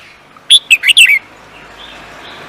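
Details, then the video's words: Contest songbird delivering a brisk burst of four sharp, high chirping notes in quick succession, then fading into soft background hiss. "The Beautiful Bird singing"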